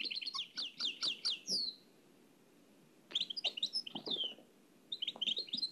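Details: Old cassette recording of nightingale song in the Oued El Alleug style: sharp downslurred whistled notes in a quick series, a pause of over a second, then more clipped slurred notes.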